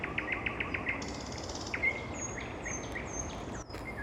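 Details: Nightingale singing in the evening: a run of quick repeated chips, then sharp rising whistles and high thin drawn-out notes, over steady low background hiss.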